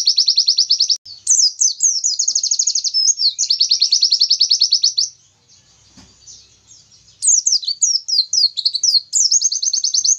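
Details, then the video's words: Oriental white-eye delivering a long 'Nobita' shot-style song to make rivals agitated: sustained rapid trills of repeated high notes, interrupted by swooping whistled phrases, a quiet pause near the middle, then renewed slurred phrases and trilling. "pleci materi tembakan Nobita panjang bikin lawan langsung emosi"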